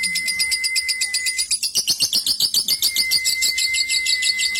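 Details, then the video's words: Cobalt-coloured lovebird, a fighter-type contest bird, delivering its long ngekek trill: a rapid, buzzy, high-pitched chatter repeated about four times a second, with a steady thin whistle-like tone running in the background. "LOVEBIRD COBALT FIGHTER NGEKEK PANJANG"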